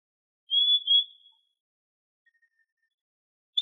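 Trinidad euphonia giving a high, clear drawn-out whistle that wavers slightly, then faint soft notes and a sharp high note at the end.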